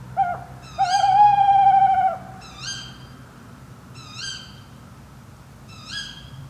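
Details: A tawny owl recorded overnight by a drop rig in the Fachwen area of Padarn Park, Wales, gives a short low hoot, a pause, then a long quavering hoot; three fainter, higher, upslurred calls follow about every one and a half seconds.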